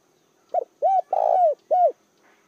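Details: Spotted dove used as a decoy to lure wild doves, giving one full phrase: a brief soft note, a rounded coo, a long sustained coo and a final arching coo, loud and clear against silence.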